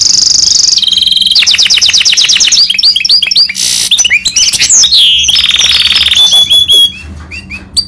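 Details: Goldfinch mule singing nonstop: a high held whistle, then fast rattling trills, bouncing looped notes and a brief harsh burst, sliding into another even trill and scattered sweet chirps near the end.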